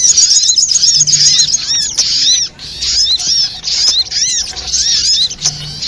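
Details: Trapping lure sound of the little spiderhunter, known locally as sogok ontong: sharp, high, arched chirps overlap in rapid clusters, with a short lull near the middle before the chatter resumes.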